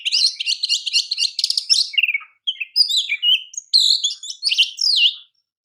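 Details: A champion Oriental magpie-robin sings as a master for training: nearly two seconds of fast pulsing buzzy trills, then a medley of bright whistles and twisting slurred notes broken by short pauses.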